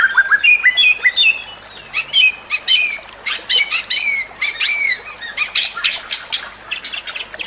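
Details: Training recording of a white-rumped shama (murai batu): a dense run of sharp, harsh chattering notes mixed with quick whistled slurs, delivered in rapid bursts.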